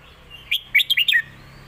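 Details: Caged red-whiskered bulbul, a competition bird, giving one phrase of its master song for young birds to copy, alternated with lak wai: five quick, clear, chirpy notes tumbling up and down.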